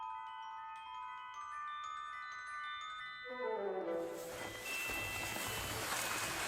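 Bright, ringing chime or glockenspiel tones give way to a broad hiss of noise, with no animal sounds.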